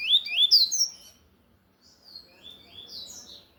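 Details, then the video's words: Loud Tui Tui song from a lined seedeater: a strong cluster of high, twisting whistles, a pause, then a softer run of thin sliding notes. "Coleiro de gola Tui Tui cantando forte"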